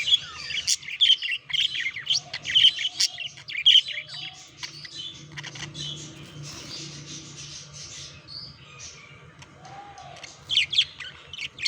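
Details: Pet budgerigars chattering during courtship and mating: dense warbling and chirping notes, many short bright chirps and squeaks tumbling together, with a steady low hum underneath.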